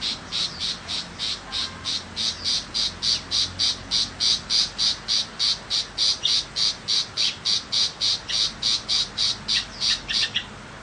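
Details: A tiger shrike in rural Vietnam gives a long, steady run of harsh, rasping chatter notes, evenly spaced at roughly three or four per second and sustained for about ten seconds.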